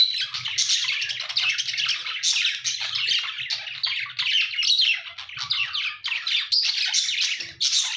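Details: Several budgerigars chattering, a steady stream of harsh, buzzy warbles and short squeaky chirps coming in irregular bursts with little pause.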